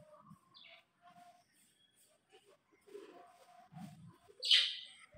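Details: Pair of Alexandrine parakeets in love; quiet, sparse chirps and soft notes build to a single loud, raspy screech at the close.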